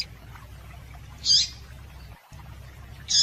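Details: Female double-collared seedeater calling to excite males: two sharp, high, short chirps nearly two seconds apart, with a brief edge of another note at the start, over a faint hum.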